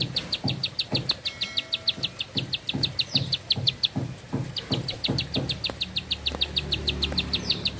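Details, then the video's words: A bar-winged prinia keeps up a long song of quick, sharp repeated notes, about three per second, pausing once midway, with faint thuds and a low hum in the background. "Nafas Panjang, Nembak Satu Lagu, Ciblek Sawah Gacor"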